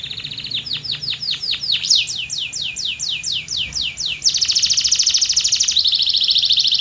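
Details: Canary song opening on a held tone, then repeated falling whistled sweeps and a long, very high, fast buzzing trill that shifts pitch near the end.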